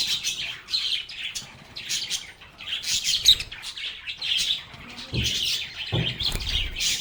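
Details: Lovebirds, also described as parakeets, singing, playing and chatting together in a calm setting: a dense flow of high, rapid chirps and squeaky twitters in overlapping bursts, with a few soft low thumps near the end.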